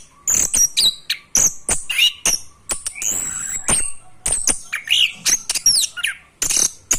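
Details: Young orange-headed thrush learning its rolling song: a jumbled run of sharp high clicks, brief whistles and looping slurred notes, loud and uneven, with short pauses.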